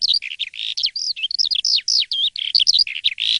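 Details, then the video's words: Morning song of an Asian pied starling, lively and clear: rich, warbled whistles and looping slurred notes in quick, uneven bursts, some bending up and down, with very short gaps and a few soft background knocks. "JALAK suren yang gacor dan ngeplong di waktu pagi"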